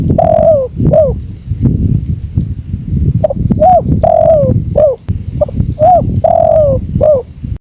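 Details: Repeated cooing of a spotted dove, prepared in 2024 as tutor audio for training birds and for relaxation alongside natural wind: several phrases of soft rounded coos with a longer descending note in each, over continuous gusty wind and a thin steady electronic tone.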